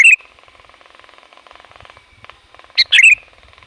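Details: Sooty-headed bulbul calling loudly to lure wild bulbuls: a warble ends at the start, then a faint pulsing background buzz, and a full chirp-then-bubbly-warble phrase near the end.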